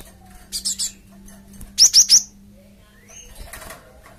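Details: Java sparrow lure sound intended to draw replies from a group of birds: a brief fluttering rustle, then three loud, evenly spaced, rising high chirps, followed by fainter calls.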